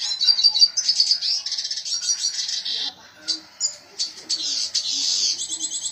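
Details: A red siskin singing gacor: dense, rapid high twittering for about three seconds, then separate short chirpy bursts spaced by silences.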